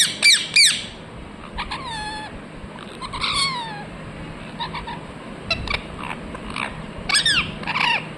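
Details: Quick loud screechy chirps from a ringneck parrot open the sequence, followed by stuttering harmonic notes and falling slurred calls, ending with another burst of sharp chirps.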